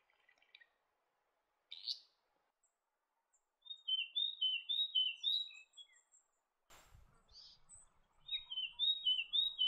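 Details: Leaden flycatcher giving quick runs of bright, sharply rising and falling whistled notes, about four per second, in two bouts separated by a pause. A soft knock sounds midway, and the background is otherwise quiet.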